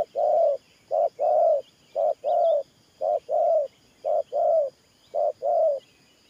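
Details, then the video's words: Loud, steady 'thổ pha nước' cooing from a spotted dove kept as a trapping decoy: five evenly spaced pairs of a short note then a longer rounded coo, light chirping of other birds behind. "Thổ Pha Nước Gù AE Tự Thẩm.Clip288_ Nết Gù coi sướng mắt"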